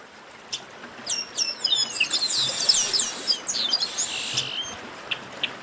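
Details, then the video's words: Chestnut-capped blackbird singing a dense jumble of high whistled and sliding notes over about three seconds, then scattered single chips against a quiet hiss. "Baderna de Garibaldi"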